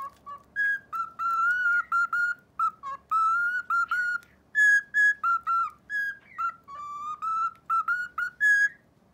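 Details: A pet cockatiel, apparently practising the children's song "Momotaro" it is being taught, whistles in clear, pure notes, phrase after phrase with brief pauses.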